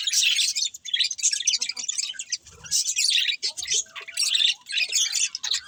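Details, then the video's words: Budgerigar chirping: bursts of buzzy, rapid warbling chatter broken by short pauses, with a faint thin whistle in the background. "Beautiful Budgies Chirping Sounds"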